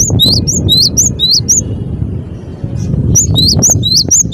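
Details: Energetic Cinereous tit song of rapid, high whistled two-part phrases, a run of about seven at the start, a gap, then another fast run, with heavy low-pitched background noise throughout.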